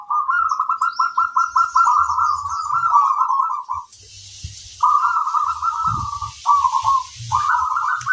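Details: Local zebra dove lure song, sung to prompt other doves to reply: fast, stuttering trilled coos in a long opening phrase, then shorter rolling bursts, with a hiss of background noise and faint low thumps.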